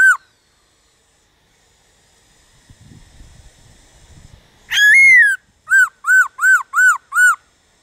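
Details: Black-throated laughingthrush singing in the 'déo bổi' style, used to stimulate wild-caught birds to sing: a soft, scratchy murmur, then one loud rising whistle and five loud arched, ringing whistled notes in quick succession.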